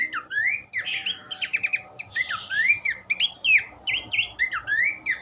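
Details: Horsfield's babbler song used as tutor material for training cage songbirds: a lively run of clear slurred whistles, rising and falling notes mixed with short sharp chips, delivered almost without pause.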